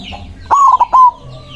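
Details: White zebra dove, a loud, freely singing bird calling rivals: a single loud cooing phrase of three or four throaty notes, the first stretched and the rest short and falling, with faint high chirps of other birds before and after.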